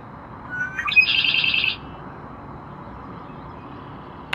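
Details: Red-winged blackbird on the LML pier at a national wildlife refuge, 21 May 2012: a couple of short rising notes, then a harsh, buzzy trill lasting under a second, over a quiet outdoor background.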